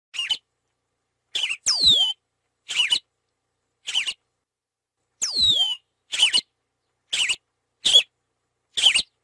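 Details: Yellow-rumped marshbird song: short, harsh chirping notes spaced roughly a second apart, broken twice by a long, clear whistle sliding steeply downward, with complete silence between the notes.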